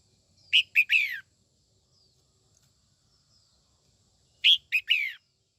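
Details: Female red-whiskered bulbul, singing to excite young males, repeats the same three-note phrase twice about four seconds apart: two short chirps then a longer falling note, with quiet between.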